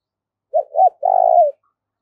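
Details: Decoy spotted dove calling to lure wild birds. A low coo phrase: two quick hooked notes, then a sustained trilling, purring note that slides down at its end. Otherwise silent.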